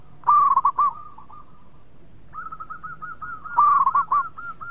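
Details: A local zebra dove sings sweetly as a lure to get other doves singing. It gives a bright, clipped cooing trill, then a long run of evenly spaced soft coos, and a second loud, rapid phrase follows.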